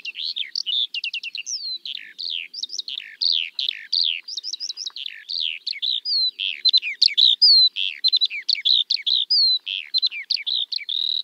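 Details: Extended Eurasian skylark song over open farmland in spring, a long, dense warble of chirps, trills and quick slurred notes flowing on for over ten seconds without pause.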